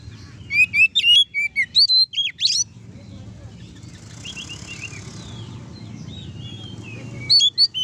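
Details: Oriental magpie-robin in loud open song, meant to provoke rival magpie-robins into singing: bursts of sharp, high whistled notes, some sweeping up and down, in the first three seconds, then quieter phrases and a final loud burst over a low steady hum.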